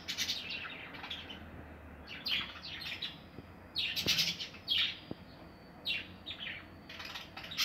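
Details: Budgerigars in a breeding aviary with nests, recorded in 2020: a flock's scattered bright chirps and short squawky notes in irregular bursts, with quieter gaps and a couple of sharp clicks between them.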